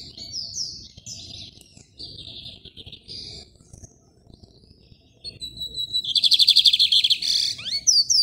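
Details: Rajadinho song of a caged lined seedeater held in hand, Maranhão, Brazil. Soft broken buzzy phrases build into a loud, fast run of high pulsed notes, then short sharp downslurred whistles.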